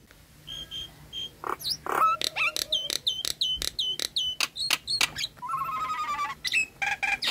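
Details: Nias hill myna song used as a lure for a silent, stressed or moulting bird: clear flat whistles, harsh grating bursts and clipped notes, then a low buzzy rattling trill and a few scratchy calls.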